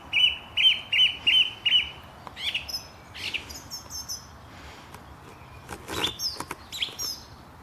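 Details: Birds chirping in the morning at Langley Park, Durham: five evenly repeated bright whistled notes, then varied twittering, buzzy trills and high sweeping chirps from several birds over a constant low rumble of background noise.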